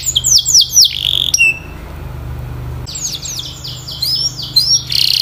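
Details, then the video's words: Canary song used for training, with bursts of high descending whistled notes and a short trill, then a pause with low hum before another run of sweeping notes and a buzzy trill. "The Most Popular Canary Singing 2025!! Sweet and Clear Voice"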